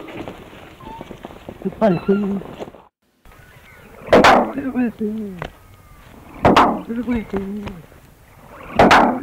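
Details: Captive male Musk duck (Australian) mimicking a slamming door and a gruff human phrase, likely imitating his caretaker, calling repeatedly and splashing about a small pond in his pen: a sharp bang, then hoarse speech-like syllables, three times, about every 2.5 seconds.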